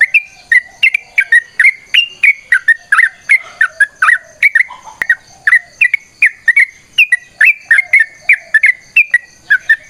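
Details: Sooty-headed bulbul giving a long, lively fighting song used to prompt other birds to sing; dense run of short bubbly whistled notes around mid pitch, about three per second, with faint lower sounds briefly in the middle.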